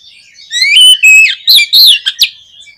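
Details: Oriental magpie-robin (kacer) singing, played to rouse a pet magpie-robin: long pure whistles that slide and dip, then a few short emphatic whistled phrases.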